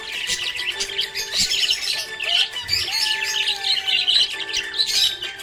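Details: Busy, squeaky chirping from a happy budgerigar: rapid overlapping high twitters in uneven bursts, backed by soft music with sustained low tones and one slow rising glide.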